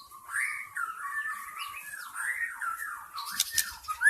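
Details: White-rumped shama from the forest, a lure recording meant to attract wild shamas: a continuous warbling run of fluid whistled notes sliding up and down, with a few sharp high chips near the end.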